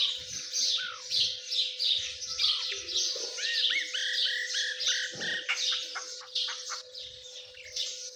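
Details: Partridge chicks, known locally as Dakani Teetar, giving dense high-pitched chirps and peeps that overlap continuously, with a few short downward-slurred whistles. A steady low mechanical hum runs underneath throughout.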